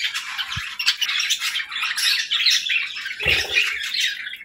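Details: Budgerigars chattering during morning feeding time, a dense continuous stream of buzzy chirps, warbles and squawks from several birds, with a brief low thump near the end.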